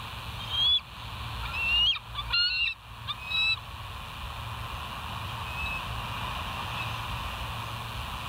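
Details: Bald eagle calling at its nest at night, 02:31 on 09/11/2023, West End: a few sharp, high squealing notes, several rising, given irregularly over three seconds, then only a steady low hum and hiss.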